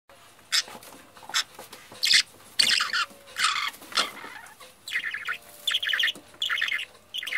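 Parakeet giving harsh, scratchy chirps and squawks in quick, uneven bursts, several each second, with short pauses between runs of calls.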